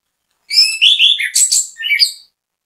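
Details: Orange-headed thrush (anis kembang) singing as a bait song to prompt other birds; a rich, varied phrase of slurred whistles and buzzy trills, mostly high-pitched, about two seconds long on a clean background.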